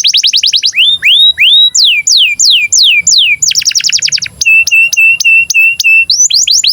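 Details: Canary in breeding condition, singing as a tutor to get young canaries singing and rolling: rapid high trills, then repeated falling whistled notes, a fast buzzy burst and evenly spaced flat whistles, all bright and loud.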